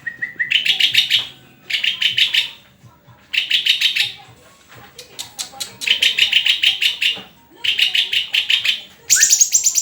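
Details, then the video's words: White-rumped shama (murai) singing energetically: dense runs of sharp, rattling chatter in repeated phrases about a second long, separated by short gaps, ending in a high piercing burst; faint voices in the background. "SUARA INDAH BURUNG MURAI GACORRRRR!!!"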